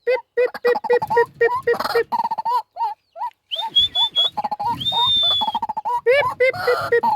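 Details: Pet White-breasted waterhen kept as a hunting decoy, its call said to draw wild waterhens in: quick series of short croaking notes, about four per second, broken by a long high thin whistle midway.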